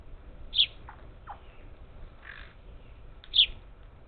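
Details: Parakeets feeding at a Texas Gulf Coast feeder near Houston, July 2021; two loud, abrupt high chirps about three seconds apart, with faint softer notes between them.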